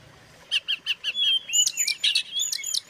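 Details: White-rumped shama singing to stir up other shamas: four evenly spaced short notes, then a thin rising whistle leading into a quick burst of varied sharp whistles and chirps.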